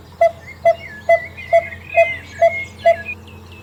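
Coppersmith barbet giving its metallic, low-pitched 'tonk' notes, seven evenly spaced about twice a second; other birds twitter and whistle higher behind it.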